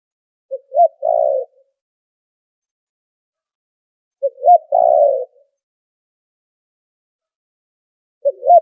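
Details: Spotted dove lure call for trapping, background noise filtered out: three-part coo phrases repeated about every four seconds, each a short coo, a bent note and a rolling croo, with silence between.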